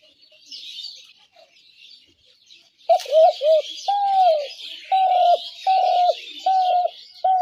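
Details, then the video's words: Spotted dove call for luring doves into traps: after a quiet start, a string of short arched coos and one longer note, evenly repeated, with small birds chattering high in the background. "ঘুঘু পাখির ডাক/Dove bird calls"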